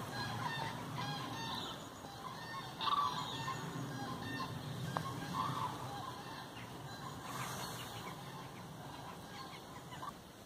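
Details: Common crane pair at the Engbertsdijksvenen, east side, 5 March 2017: a few loud rolling trumpeted calls at irregular intervals over wind hiss.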